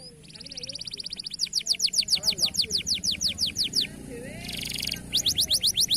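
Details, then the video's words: Local canary singing: a fast dry buzzy roll, then rapid downward-sweeping high whistled notes repeated about three times a second, a brief buzzy burst, and more quick sweeping trills. "Masteran Burung Kenari Lokal Agar Dapat Berbunyi Dan Gacor"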